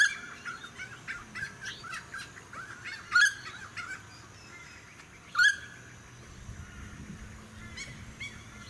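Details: Noisy friarbird recorded in May 2018 in a suburban area of the Sunshine Coast, Queensland: two loud, harsh call notes over busy chattering from other birds at the start, with wind and distant suburban noise.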